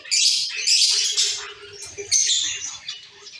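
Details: A caged colony of captive Zebra finches chatters with overlapping nasal, buzzy high calls and bursts of squeaky chirps, several birds calling at once, with a faint low hum beneath.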